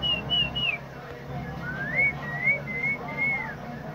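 Common myna giving three quick clear whistles, then a rising note into a string of wavering, slurred whistles, over a low steady hum.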